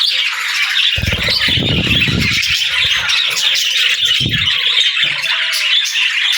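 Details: Chattering budgies, a steady high twittering warble mixed with harsh squawks, several birds together, over brief low rumbling bursts.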